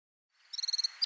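A red-fronted serin gives a quick, high, buzzy trill of about eight notes in under half a second, then one sharp note.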